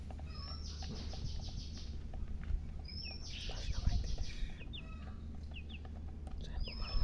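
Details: Several domestic chicks peeping: high, thin, downslurred notes in quick bursts, with a steady low hum and a few soft knocks underneath.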